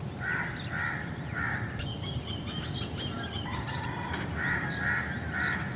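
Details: Indian crow repeating harsh caws in two bursts of three, each note roughly half a second apart, with scattered small-bird chirps in between.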